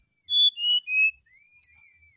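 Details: Brown-chested jungle flycatcher singing in the morning: clear whistled notes descending in pitch, followed by a burst of rapid twittering over a thin, long, rising-and-falling whistle.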